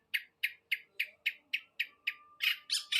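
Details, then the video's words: Long-tailed shrike in non-stop 'los trotol' delivery: a rapid series of harsh, clipped notes about three per second, growing louder and noisier at the end. "BURUNG CENDET GACOR SUARA LOS TROTOL"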